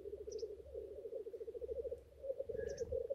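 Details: Displaying male black grouse on the lek give a throbbing bubbling coo, with two short high hisses and a level whistled note late on.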